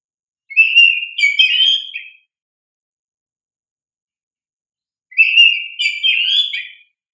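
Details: Oriental magpie-robin in full, vigorous song, offered as a lure so young caged magpie-robins respond; two matching whistled phrases with quick warbled flourishes, about four and a half seconds apart, and nothing else audible.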